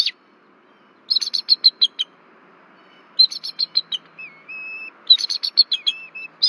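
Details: A nesting pair of bald eagles in Rome, Georgia, at Berry College, raise the alarm at an overflying intruder on 1 February 2024: three bursts of rapid, piping high chitters with a steady thin whistle between them.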